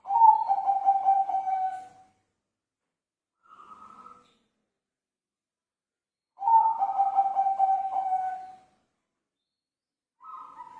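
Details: Zebra dove cooing in repeated phrases: a long soft rolling trilled coo of about two seconds, then a short quieter note, with the pattern heard again after a silent gap.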